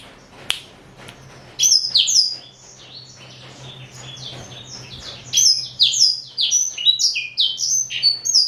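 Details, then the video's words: Four-year-old male black-throated canary, Somerini x Botswana line, kept as a pet: a short burst of sliding whistles, a quieter pause, then a long, fast string of downward-slurred high notes to the end. "Kicau Merdu BLACKTRHOAT"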